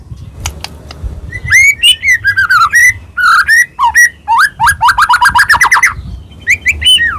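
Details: White-rumped shama (murai batu, Medan type) in full, varied song used as a lure to provoke other shamas to sing: loud slurred whistles rising and falling, rapid trilled runs and sharp chips in quick succession.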